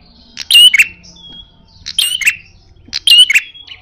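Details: Fighting-style call of a fierce red-headed prenjak: three loud bursts of high, sharp chirps with a thin whistle between them.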